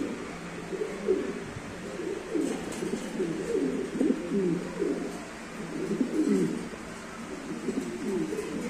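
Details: Two pairs of show King pigeons coo together, low rolling coos overlapping in bursts every second or two, over a faint indoor hum.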